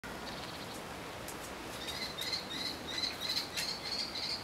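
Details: Common kestrel in a cemetery tree, where a young kestrel sits while another calls for food: a run of thin, high, slightly wavering notes, about three each second, over a steady hiss with a few clicks.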